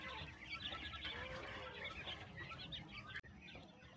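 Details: Chickens being fed in the morning on a small rural farm; dense, continuous flock clucking and chattering fills the clip, with a brief dropout near the end.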